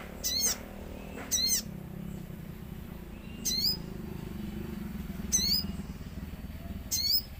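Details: Common iora in lively song with nature sounds: five clear, high, slurred whistled notes, each a quick down-and-up sweep, spaced one to two seconds apart, above a faint low rumble.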